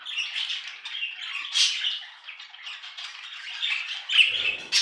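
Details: Budgies warbling in a continuous, busy stream of buzzy, scratchy twitters and squawks, with a few sharper high squeaks rising above the chatter.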